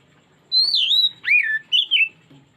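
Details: Oriental magpie-robin singing a lure phrase meant to prompt a bird's repertoire: a bright sustained whistle, a sharp downward-sweeping note, then a brief wavering whistle, in a quiet setting.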